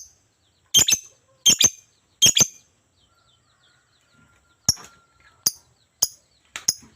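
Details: Lovebird, said to be highly vocal (gacor), calling in three harsh double chirps about a second apart, then after a pause a string of thinner single shrill chirps; a faint steady tone sounds in between.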